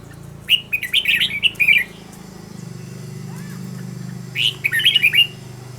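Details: Decoy red-whiskered bulbul used for song training gives two bursts of quick, chattering whistled notes separated by a pause, with a constant low mechanical hum underneath.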